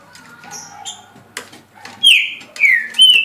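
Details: Green-winged saltator kept in a cage and singing 17 songs a minute; after soft background chirps and a click comes a short phrase of three strong whistled notes, each slurring downward.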